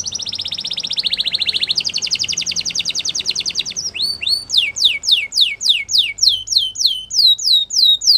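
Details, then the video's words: Spanish Timbrado canary song opening with fast, dense metallic trills, then shifting into a steady run of bright rising whistled sweeps, about three per second. "Spanish Timbrado Canary Singing"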